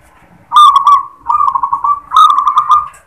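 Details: Singing local zebra dove, "klar ketek kuk" style opening with "klar": three rapid phrases of stuttering, rolling coos in close succession, each a burry trill at a constant pitch.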